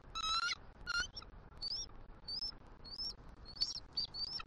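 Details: Bald eagle pair at a Southwest Florida nest with eggs, morning of 6 December 2023, female exchanging good-morning calls with her mate at incubation changeover: two harmonic squeaky chirps, then a run of short, thin, rising high notes, slightly hissy background.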